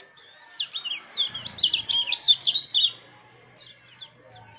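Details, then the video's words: Mountain white-eye singing to encourage other white-eyes to sing: a quick series of high, zigzagging chirps lasting about two seconds over a low hum, followed by a few faint high notes. "pancingan suara pleci agar buka paruh"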